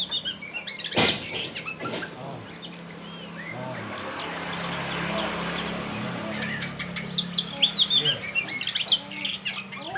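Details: Oriental magpie-robin in training by a river in the rain, giving scattered short high chirps and thin whistled notes over a hiss, with human speech and a sharp knock near the start.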